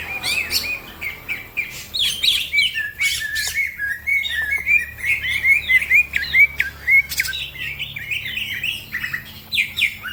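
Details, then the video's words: Green leafbird singing rapidly while other birds are roused into song; clear whistled phrases mixed with sharp chips, some notes looping up and down, in bursts separated by short gaps. "The green cucak bird makes noise, other birds also become gacor"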